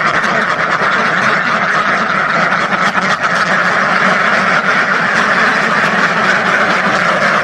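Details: Thousands of ducks quacking all at once, a dense, continuous wall of overlapping nasal quacks with no pauses.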